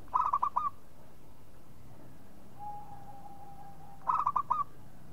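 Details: A local zebra dove (perkutut) gives two bursts of quick, soft, rolling coos, about five notes each, four seconds apart, with a faint steady whistle between them.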